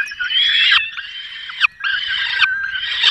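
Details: At a peregrine falcon nest in the Barycz Valley, 5 May 2022, as the male delivers a small bird and the female feeds the young: loud, rasping, sustained wailing calls in three long bursts with brief gaps.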